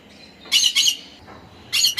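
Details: Conure giving harsh, buzzy squawks: a close double burst, then a pause of about a second before another loud squawk pair begins.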